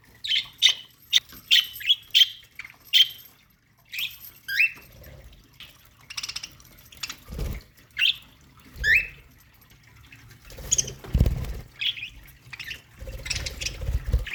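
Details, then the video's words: Budgerigars singing in a colony aviary: a quick series of high squeaky chirps at the start, then sparser rising squeaks and twitters, with occasional low thumps and splashy background noise. "budgie colony singing parakeet sounds aviary"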